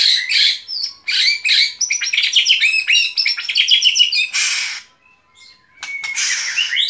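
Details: White-rumped shama delivering a dense rapid song of bright chattering notes and high whistles, then a harsh noisy burst, a thin steady whistle, and more chatter; a faint steady tone underneath.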